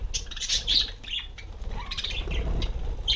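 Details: Parakeets (budgerigars) sitting on a self-made spinning bicycle wheel give a quick run of harsh squawks and scratchy chirps with brief pauses, over fluttering wings and steady low background noise.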